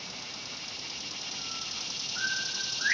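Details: Captive male Northern Bobwhite calling from his pen in the morning after overnight rain: a faint whistled note, then a longer clear whistle swinging sharply upward, over steady hiss with frogs, cicadas and roosters around.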